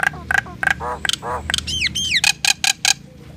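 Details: Common myna in varied song: dry clicks and snaps, two low gurgling rattles, paired descending whistles, then a quick series of loud sharp clicking notes, with faint background hum.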